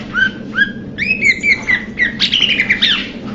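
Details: Blue-winged leafbird: two clear, rising whistled notes, then a string of level whistles that slides into a buzzy, scratchy chatter, all over a steady low hum.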